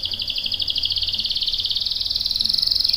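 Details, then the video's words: Canary in full song, used as a lure so other birds join in: a rapid, high, continuous pulsed trill holding nearly one pitch and edging slightly upward over three seconds, with faint background hiss. "PANCINGAN KENARI GACOR CUIT CUIT bikin NYAUT ikutan BUNYI Ngerol panjang | CANARY SINGING"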